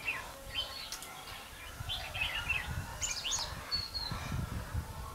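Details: Red-whiskered bulbul used as a trapping decoy in Vietnam, uttering scattered short warbled notes and a brief thin whistle, with low thumping noise and rumble underneath.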